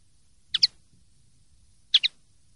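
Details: Linnet, pardillo limpio clean song, 2023/2024: two crisp high double chirps about one and a half seconds apart over faint low background hum.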